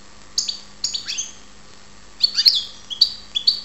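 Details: European goldfinch, karderina, in Ptolemaida, Greece, giving sparse sharp downslurred chirps, then a cluster of bright high twittering notes repeated in quick succession.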